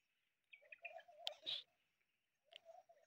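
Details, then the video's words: Desi teetar (partridge) calling in short bursts of harsh, chattering notes: a run of clipped phrases lasting about a second, a brief pause, then another shorter burst, over a quiet background. "تیتر کی آواز || desi teetar voice"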